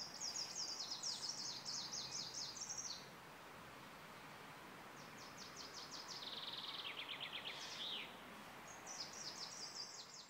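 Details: Greenish warbler (Phylloscopus trochiloides) singing in Prague-Hodkovičky on 10 June 2016: three quick, very high phrases of rattling, slightly descending trills, each two to three seconds long, over soft hiss.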